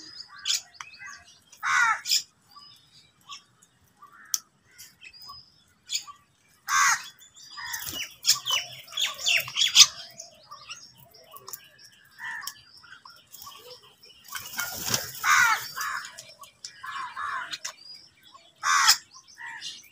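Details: A noisy crowd of crows fighting for food on a winter morning trade harsh, rasping caws in quick, overlapping bursts.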